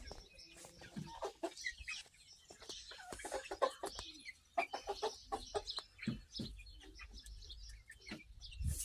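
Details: Speckled Sussex chicks, hatched in March and recorded in June, give scattered short high peeps and chirps mixed with soft clucking notes, over low rumbling background noise.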